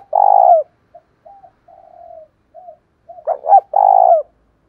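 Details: Spotted dove with a loud thổ đồng lure voice for provoking fights: a long mellow coo, a string of soft quiet coos, then a phrase of two short stuttered notes and another long low coo.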